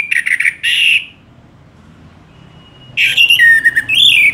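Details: An orange-headed thrush sings energetically, its song kept as a tutor for other songbirds. Loud, rich warbled phrases with buzzy and whistled notes are followed by a silent gap. A second burst of slurred, descending whistles comes after the gap.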